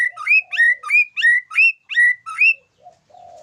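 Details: White-rumped shama singing a series of seven bright, two-part whistled notes in steady rhythm, roughly three per second, followed by soft low notes.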